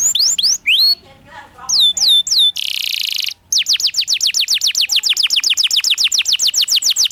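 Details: Master song of a canary for tutoring young birds, in rolling ngerol style: rising whistled slurs, a brief quiet gap, a harsh buzzy burst, then a long fast run of repeated sweeping whistles.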